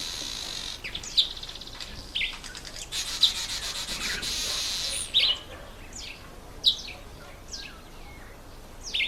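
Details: Red bishop in breeding season, males in black and red plumage nesting in bulrushes or reeds over water; a series of sharp chirps, short buzzy notes and sizzling trills at irregular intervals.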